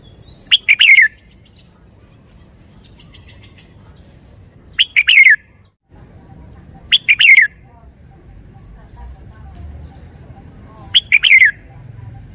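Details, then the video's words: Caged red-whiskered bulbul repeating the same brief whistled phrase four times at intervals of about two to four seconds, each a couple of quick notes ending in a descending warble, quiet low hum between. "นกกรงหัวจุก 535 จ้าวคำหมาน ชัดเจนเน้นทุกดอก"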